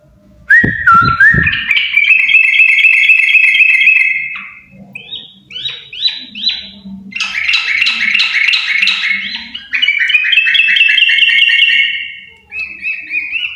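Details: Yellow-vented bulbul pair in lively song, opening with a few dull thumps, then long bursts of chattering, liquid warbles, dense and rapid, broken by short gaps and ending on a higher, steadier phrase.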